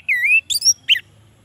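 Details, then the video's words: Short burst of orange-headed thrush song, used to get lazy males singing: one long, rich, sliding whistle, a shrill rising note, then a harsh squeaky note. "suara Anis merah untuk pancingan"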